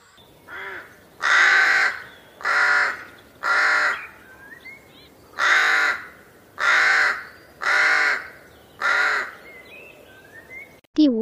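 A rook gives seven harsh, raspy caws, each about a second long, at a steady unhurried pace. A few softer, thinner calls sound between them.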